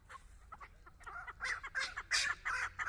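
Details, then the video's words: Close, loud chukar partridge, a hunting decoy set before a female, giving a rising burst of harsh, grating chuck notes that grow stronger and faster toward the end. "Кабки шикори дар пеши модкабк"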